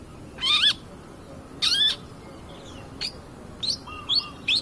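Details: Bait recording of a long-tailed shrike, 'pastol' type, in strong voice: two long, nasal, rasping screeches with a bending tone, followed by quicker short chips and scratchy notes, over faint hiss.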